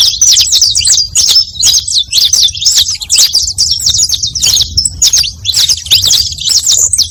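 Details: Canário-da-terra, the saffron finch, delivering a fast, unbroken string of thin, sharp chirps and slurred notes, played to attract other birds.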